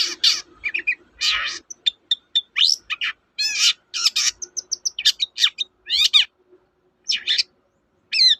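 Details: Long-tailed shrike song used as a lure to prompt reluctant birds to sing: varied scratchy phrases, short whistled notes and harsh rasping bursts in quick succession, ending in spaced calls.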